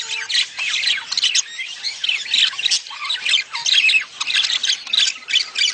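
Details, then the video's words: Budgerigar mating chatter used to stimulate a female to lay eggs. Several birds warble at once in a dense, scratchy, high-pitched babble of squawks and twittering notes with no pauses. "خلي انثي البادجي تبيض بسرعه.اصوات التزاوج للتحفيز"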